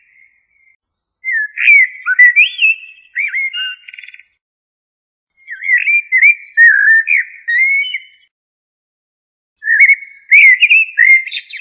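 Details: Three separate fluted phrases of a common blackbird, Turdus merula, each a cluster of slurred mellow whistles lasting two to three seconds, spaced by quiet gaps; clean recording without other noises.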